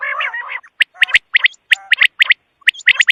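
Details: Quail: one long raspy, buzzy churr, then a quick series of loud, sharp chirps spaced unevenly.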